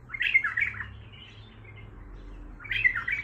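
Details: Baghdadi-style song of an untrained bulbul: a brisk, chattering warble, a soft fading tail, and another bright phrase starting after about two and a half seconds.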